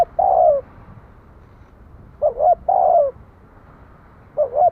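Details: Spotted dove calling: a long sliding coo, then a two-note hoot and another long descending coo, and a final pair of short hoots. Mellow, mid-pitched, steady low background noise.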